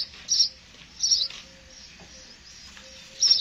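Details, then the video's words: Sparrow calling with three sharp, high chirps spaced about a second apart, separated by near silence and a faint low hum. "sound of sparrow"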